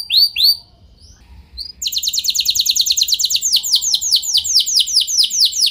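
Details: Canary singing to encourage other canaries to join in: a few rising whistles, a pause, then a long fast roll of high downslurred notes, slowing slightly toward the end.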